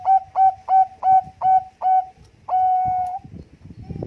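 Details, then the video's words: Bangkok-type zebra dove singing to competition criteria, as a lure: six clean, evenly spaced coos followed by one long sustained coo, then faint clicks and knocks. "perkutut bangkok gacor suara istimewa keteria lomba untuk pancingan"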